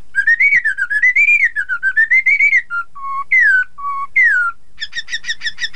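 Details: Chinese hwamei song for stirring rival birds to sing along: a flowing string of clear rising and falling whistles, some low steady notes, ending in fast buzzy repeated phrases.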